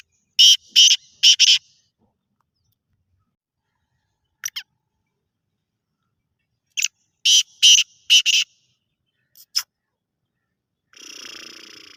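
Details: Black francolin calling: short groups of three to four loud, harsh, rasping notes, with a brief pause after each group. A short stretch of soft hissing noise follows at the end.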